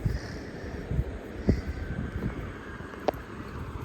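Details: Low rumbling wind and vehicle noise with a few faint clicks and knocks, but no animal voice.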